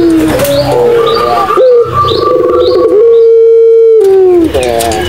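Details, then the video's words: Madura pelung-style Barbary dove cooing, used as a lure to get quiet doves calling: several gruff rolling notes lead into a long, even, sustained coo that dips downward at the end, followed by more throaty rolling sounds. "SUARA PUTER PELUNG MADURA COCOK BUAT PANCINGAN PUTER PELUNG MACET BUNYI"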